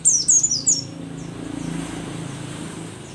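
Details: Mountain white-eye, the pleci dakun described as a rare Merapi endemic, an old bird singing actively: a short burst of three very high, thin, downslurred notes, then a low background hum.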